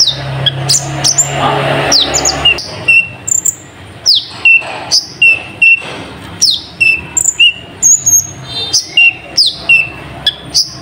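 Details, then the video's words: Sunbird, locally called kolibri ninja, singing with mimicked nightjar calls: sharp, high, downslurred notes and short whistles repeated about once a second. Some low background hum is heard early on. "Burung Kolibri Ninja Isian Burung Cabak Iblis"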